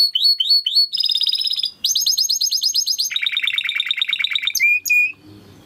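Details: Timbrado canary singing for training: repeated falling notes, a dense buzzy roll, a quick pulsed trill, then a lower rapid rolling tour and two drawn-out whistles before quiet.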